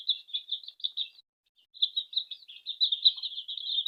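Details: Gentle peeping of baby chicks gathered around their feeding mother hen indoors at home; strings of quick, high cheeps, a short pause, then a louder, continuous run of overlapping peeps.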